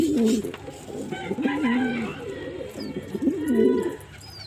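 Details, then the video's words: Male pigeon cooing, three low undulating phrases spaced about one and a half seconds apart, with faint high bird notes. "Pigeon Sound Effect"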